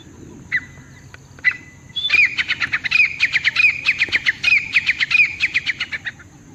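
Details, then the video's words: A grey francolin gives a loud, shrill run of ringing notes, about four a second for four seconds, after a few separate opening notes. "dakni teetar ki awaz"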